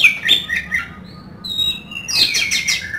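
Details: Oriental magpie-robin, a singing kacer in full rich song used as a lure and mental test for other birds, giving loud varied whistled and harsh notes with quick chirps and slurred phrases.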